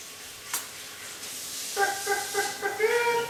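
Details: One-year-old male pet eclectus parrot clucking like a chicken indoors: a quick run of short, nasal, harmonic clucks after a quiet start, with faint household sounds.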